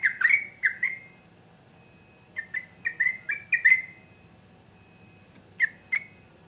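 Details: Sooty-headed bulbul giving scattered bursts of bright whistled notes: a loud pair opening, a pause, a cluster of five quick notes, then two more after a gap, with faint background hiss.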